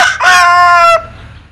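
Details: Linh Kê rooster with a strange crow: a brief opening burst, then a steady harmonic-rich drawn-out note of under a second that cuts off sharply and fades.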